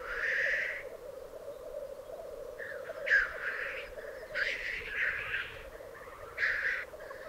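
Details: Lekking black grouse in an Alpine display arena in Piedmont, Italy, 2022: steady low bubbling rookoo underlies several harsh, breathy hissing sneezes, one at the start and others repeating at irregular intervals of about one to two seconds.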